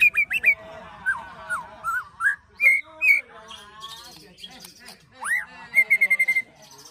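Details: Agitated white-rumped shama ketrekan song with cililin and prenjak tir filler, for provoking birds: varied looping whistles, a rising slur, then a quick run of identical high chips, over faint background chatter.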